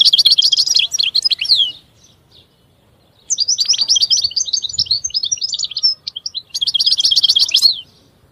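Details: Goldfinch singing in quick bursts of liquid, twittering notes, high and rapid, with a short pause after the first phrase before a longer, varied stream of chirps and trills; a faint low thump in the background.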